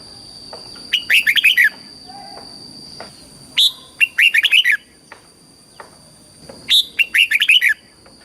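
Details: Red-whiskered bulbul song in southern Thai style, used to stimulate caged birds and teach young ones: three short bursts of quick, rich whistled phrases spaced about three seconds apart, with a steady high electronic hum.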